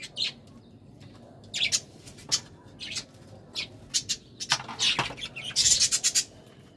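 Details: Budgerigars in a courtship moment, giving short, sharp high chirps and scratchy warble bursts that grow busier and louder toward the end.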